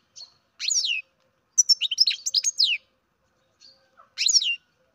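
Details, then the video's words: Captive-bred baby European goldfinch giving bright twittering calls: a few high, downward-sweeping chirps, then a dense burst of varied tweets, and a final short chirp after a pause. "Καρδερίνα εκτροφής μωρό (Goldfinch carduelis baby"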